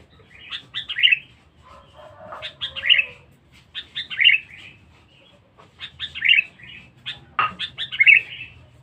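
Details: Lure (pikat) recording of a loud, fierce Sooty-headed bulbul: clusters of rapid sharp notes, each ending in a liquid, bubbling whistle, repeated several times, with a brief soft buzzy sound in the background.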